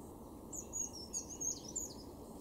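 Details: European robin in a garden in Weener, East Frisia, far northwest Germany, April 2023: faint, high, thin twittering phrases and quick trills in short bursts over steady low background hum.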